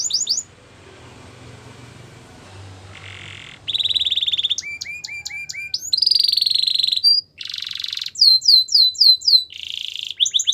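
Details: Canary singing a training song after a quiet start with faint low background hum: buzzy rattles, sharp whistled chips and short trills alternate in varied bursts, with brief pauses between phrases.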